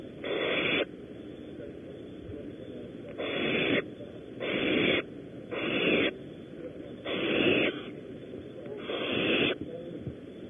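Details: Barn owls at a nest at Audubon Starr Ranch, California, as prey is delivered: six strong, rasping hissing screeches, each under a second, repeated every one to two seconds with quieter hiss between.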